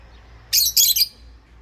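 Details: Rosy-faced lovebird, one of a pair, giving a rapid shrill run of three harsh high chirps in under a second against faint background hum.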